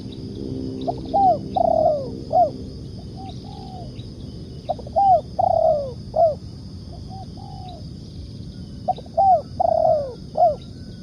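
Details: Spotted dove (tekukur) lure cooing for bird trapping, in the "nekan" style: three similar phrases of short notes, a long falling coo and an arched final coo, spaced several seconds apart, over steady low background noise.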